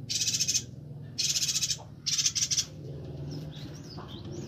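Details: Bornean yuhina, called Perenjak Batu in Kalimantan, singing vigorously as a tutor for training songbirds: three buzzy, rapidly pulsed high chattering bursts about half a second long, then faint thin whistles over a low background hum.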